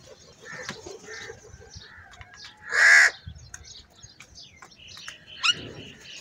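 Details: Crows in a large group fighting over food; one loud harsh caw stands out near the middle, with fainter calls and chirps of other birds around it.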